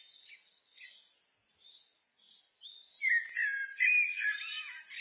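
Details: Blackbird singing in a looped recording: faint, scattered high twitters at first, then a strong, full warbling phrase of fluting notes that continues to the end.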